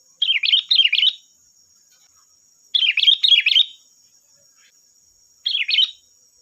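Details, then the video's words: Energetic sooty-headed bulbul song, played to provoke other bulbuls into singing back: three bursts of fast, rolling up-and-down warbled whistles, each lasting about a second, separated by silence, with a faint steady hum. "Suara burung Kutilang Gacor || Suara pancingan Kutilang bahan"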